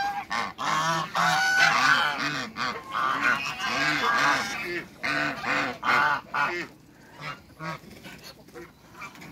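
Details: Two African geese in a backyard among other waterbirds call in a rapid series of harsh nasal honks, loud and irregular, tapering off into quieter, spaced honks toward the end.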